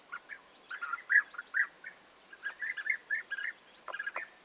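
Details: European bee-eaters calling on 29 May 2021 in two bursts of quick rolling notes separated by a brief pause, ending with a sharp click and a few more calls.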